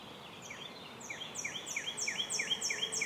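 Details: Robin nest with baby birds being fed by adults: a quick string of high, sharp chirps, each with an upward flick and a downslurred tail, growing louder and more even over three seconds.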